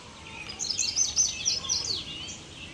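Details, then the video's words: An indigo bunting heard singing in a park gives a quick run of high, sweet, paired notes over about a second and a half, against a soft background hiss. "Indigo Bunting Song"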